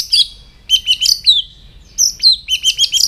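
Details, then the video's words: Morning song of a White-rumped shama in voice training: bursts of bright, high chirping notes and short trills in two clusters separated by a pause, each phrase rapid and sharply modulated. "chòe lửa hót sáng luyện giọng chòe lửa hót"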